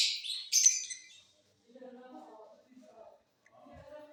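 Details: Mutation lovebirds in a flying cage, singing during the off season: a burst of sharp, high chirps and squeaky notes in the first second, followed by softer, lower chattering twitters.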